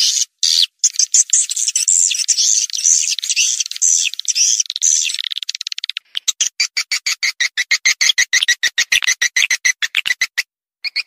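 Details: Swiftlet lure calls meant to attract swiftlets: a fast, buzzy twittering chatter for six seconds, then a regular series of sharp, high chirps repeated about twice a second.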